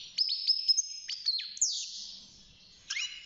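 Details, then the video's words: Caged young European goldfinch, aged six months, in early song: a few thin, high tinkling notes and a downslurred buzzy phrase, then a short twitter at the end. "الحسون بعد مرور ستة شهور أصبح يغرد"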